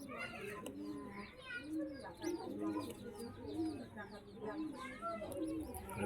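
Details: Pigeons in a keeper's loft give low, arched cooing notes, repeated roughly once a second, several birds overlapping, with faint chatter and soft chirps in the background.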